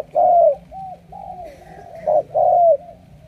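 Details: Captive spotted dove, a recently caught bird that is not yet fully mature, cooing strongly. It gives soft, hoarse coos over about three seconds, with longer slurred notes opening and closing the phrase and shorter ones between, over faint low hum.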